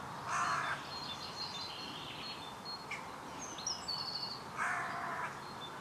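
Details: A carrion crow in a cold, windy, overcast mid-May 2020 babbles on, unbothered by an observer a few metres away, giving two harsh, rasping caws several seconds apart while high, thin whistles from small birds fill the gap.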